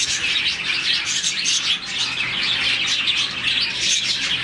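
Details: Morning chorus from a budgerigar colony of roughly 40 birds, chirping that signals contentment; rapid, bright, overlapping chirps and trills fill the whole stretch, with louder bursts every second or so.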